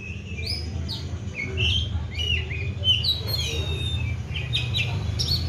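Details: Oriental magpie-robin, a caged bird fed seven crickets and bathed morning and evening, delivers clear whistled notes and slurred phrases with sharp high chips in a lively, continuous run over a low background rumble.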